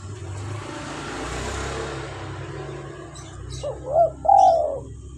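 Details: Spotted dove, local tekukur, calling as a lure and prompt for captive birds: after several seconds of broad hiss and low rumble, a brief phrase of short rising coos ends in a longer falling coo.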